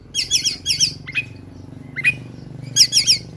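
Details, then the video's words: Kacer, the oriental magpie-robin, in combative ngobra song packed with imitated phrases: clusters of fast buzzy trills, two sharp upslurred chirps, then a final trilled burst, over a low hum. "KACER TARUNG NGOBRA FULL ISIAN"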